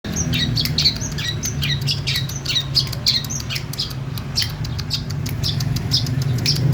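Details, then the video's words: Female long-tailed shrike giving a quick run of sharp, high, clicking and squeaky notes in irregular clusters, over a loud low rumble of background noise. "pentet betina gacor"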